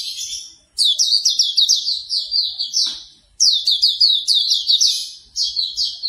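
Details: Hume's white-eye singing, a morning training track meant to make another bird open its beak and sing: fast, bright, high-pitched chattering phrases of slurred whistles, two long runs split by a brief gap, with a faint click midway.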